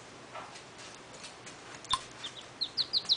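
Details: A rescued Mallard duckling gives a quick run of five thin, high peeps near the end, each slightly down-slurred, after a single click and soft background hiss.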